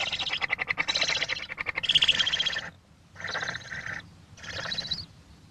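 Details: Barn owl at a June nest in a barn in the English countryside, early morning, where a pair feeds roughly six-week-old owlets: harsh, hissing screeches, a long stuttering rasp, then two shorter breathy hisses about a second apart.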